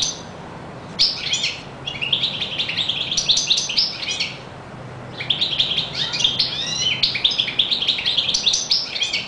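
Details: European goldfinch in full song: two long, unbroken runs of fast, high, tinkling twitters and buzzy trills, lively and jangling, with a short gap between them.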